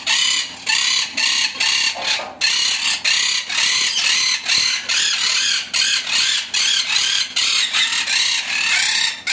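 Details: First-clutch lovebird chicks in Jeddah in 2021 make loud rasping, hissy calls, a steady run of short grating bursts, several each second, with only brief gaps.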